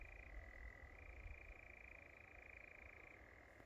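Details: European nightjar on Wiggonholt Common delivering a continuous rapid churr, pitch stepping down then back up, with low rumbling background noise.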